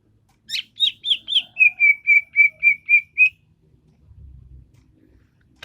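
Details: Greater green leafbird: a few sharp chips, then a steady series of about seven clear whistled notes, roughly four per second, followed by faint low rustling.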